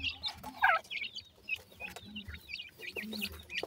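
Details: Partridge chicks eat while giving high, hooked peeps, with one loud, strained cheep early and scattered light pecking taps throughout.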